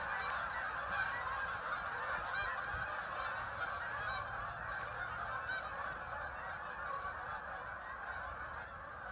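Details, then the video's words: Huge flock of ducks arriving and settling on the water in Vernon, Connecticut, heard from a riverside trail: steady roaring chorus of countless overlapping calls, with occasional nearer harsh notes standing out. "thousands of ducks arrived making a strange noise"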